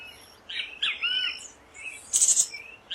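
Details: Rufous-bellied thrush singing wild in Brazil: short clear whistled phrases with a curving slurred note, then a sharper high burst, separated by brief pauses.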